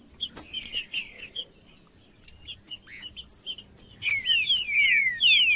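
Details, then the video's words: Green-winged saltator male singing 'macheando' style to stir rivals: scattered high chips and short whistles, a brief pause, then a run of rapid falling whistled slurs at the end, with a constant thin high tone behind. "Trinca-ferro Macheando com Trinca ferro cantando Para Esquentar Trinca ferro"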